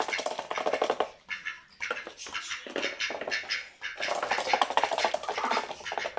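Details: A duck that came indoors gives harsh, raspy, rapidly pulsed chattering in bursts of about a second, with brief pauses, while eating cat biscuits, with crunching and scratching close by.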